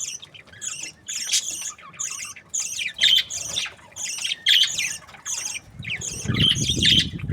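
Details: Budgerigars in breeding pairs, said to be happy, chattering with bursts of harsh, buzzy squawks and warbled chirps in rapid clusters, pausing briefly between bursts; low rumbling noise rises near the end.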